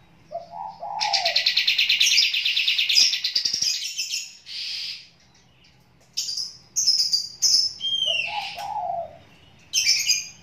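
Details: A Sooty-headed bulbul, calling while in the water, gives short, mellow, bubbly low whistles mixed with long bursts of dense, high, scratchy chattering and thin sharp notes, with brief pauses between phrases.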